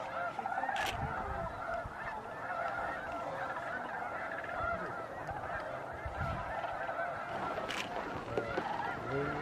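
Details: Snow geese honking en masse at Bosque del Apache National Wildlife Refuge, December 12–13, 2009, at sunset and sunrise. Continuous flock chatter with a couple of sharp clicks.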